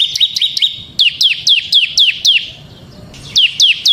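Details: A ciblek semi bar-winged prinia singing gacor in ngebren style for luring ciblek kristal and tutoring birds: quick upslurred-then-falling chirps in three short runs, loud and crisp, separated by a short lull.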